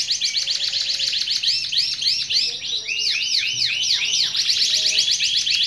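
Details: Continuous canary song of rapid, looping arched notes in quick succession, rolling trills and rising sweeps, loud and unbroken throughout with faint lower tones underneath.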